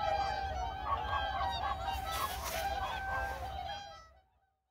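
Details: Seven whooper swans landing on a reservoir after flight trade loud, bugling honks, about two a second, several birds overlapping over a low rumble of wind or water.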